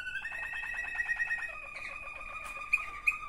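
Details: Waterslager canary, one of two sibling birds, indoors; a rapid pulsed bubbling roll of even notes changing into a smooth held whistle with two sharp accents near the end.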